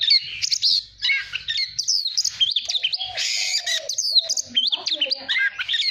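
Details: Oriental magpie-robin singing for voice training, intended to provoke competitive song. Fast varied phrases of bright up-and-down whistles and buzzy bursts, with a lower wavering whistle in the middle section.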